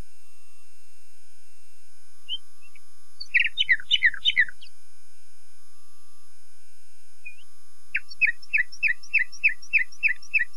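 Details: Common nightingale with a burst of dense, tumbling chirps, a quiet pause, then a steady repeated series of about eight sharp, descending notes evenly spaced.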